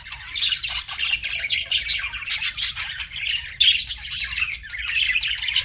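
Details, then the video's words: Budgies keep up a continuous buzzy chatter of scratchy squawks and thin chirps, rising and falling in uneven waves. "BUDGIES CHIRPING SOUND"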